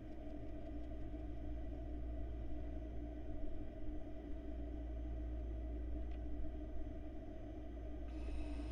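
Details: Steady low rumble and electrical hum fill a quiet barn owl nest box camera feed, with no animal voice heard.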